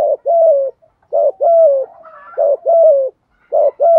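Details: Spotted dove (chim cu gáy) cooing, used to stimulate decoy birds quickly. Low mellow coos come in paired phrases, a short note followed by a longer one, repeated about three times with clean silence between them.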